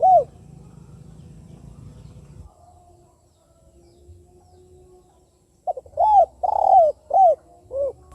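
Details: Spotted dove giving its KUK 2 type call, used as a lure to prompt other doves to call; after several seconds of low rumbling background, a short note is followed by a run of mellow, arched coos, one longer and burry.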